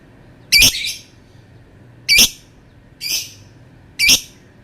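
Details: Lovebird giving four harsh, high screeches spaced roughly a second apart, each short and piercing.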